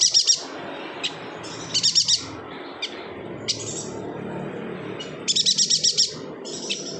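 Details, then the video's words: Yuhina gives bursts of quick, high, rattling chips, three or four notes per burst, with single sharp chips between bursts and a faint background hiss. "BURUNG YUHINA GACOR"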